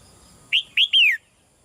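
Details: Female red-whiskered bulbul in a cage giving soft calls that urge the male to sing louder: three quick whistled notes, the last longest and falling away, in a quiet setting.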